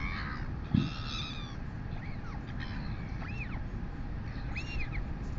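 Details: At a New Zealand nest on 23 August 2020, 11:24 am, a royal albatross chick fed by its mother gives a harsher, layered call and then separate arched squeals spaced about a second apart, with a thump and constant wind.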